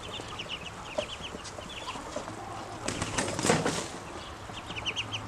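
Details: Grown ducklings peeping when hungry: short high notes in small runs at the start and end, interrupted midway by a loud rustling, scraping burst.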